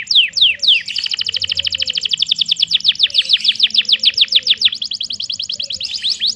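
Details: Canary pouring out a long song: a few falling whistles, then a dense rolling trill of rapid repeated notes lasting several seconds before easing into slower sweeps.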